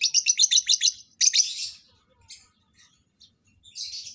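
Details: Lovebirds being paired for mating open with about eight quick, evenly spaced shrill chirps, then a longer harsh burst and faint chirps.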